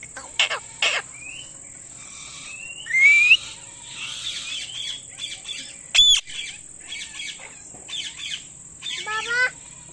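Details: Indian ringneck parakeet calling with loud chirps: irregular short sharp notes, rising whistled phrases and two harsh, high screeches near the middle and end, over a constant thin high-pitched electronic tone.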